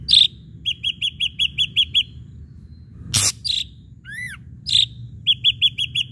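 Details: Ashy drongo song used to provoke other birds to sing. A loud opening note leads into a fast row of crisp chirps, then a harsh burst, a drawn note, a pair of arched slurs and another chirp series.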